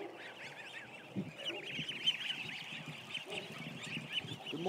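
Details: Crowd of ducklings, around a thousand, kept in a barn, giving a dense chorus of high, thin peeps that rise and fall without pause, with some lower, hoarser calls and faint rustling beneath.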